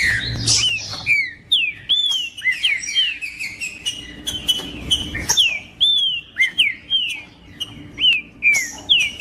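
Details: Green-winged saltator singing to excite a male into song: a string of loud, rich whistles, many arching up then dropping, delivered about twice per second with short gaps and a low steady hum behind.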